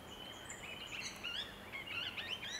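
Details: A pair of critically endangered Swift parrots bathing on the ground in Eucalyptus ovata forest at Don Reserve, Tasmania, September 2020, giving thin, high chirps and short rising whistles in quick succession over steady background hiss.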